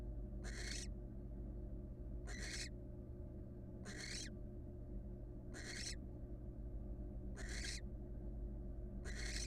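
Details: Female barn owl, wild, in a nest box standing one-legged; six rough, airy hissing screeches repeated about every 1.6 seconds, with a continuous low hum beneath.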